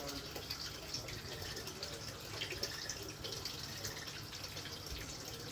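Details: Steady dripping and trickling of water indoors with a low hum beneath, and no animal voice heard.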